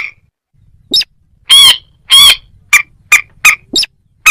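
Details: Moorhen calls: two long, grating squawks followed by a string of short, sharp clicks.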